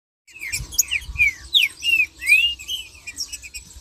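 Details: Green-winged saltator chorus in marching song, played to rouse other saltators: bright whistled notes sliding up and down in quick succession, several voices overlapping into a busy stream.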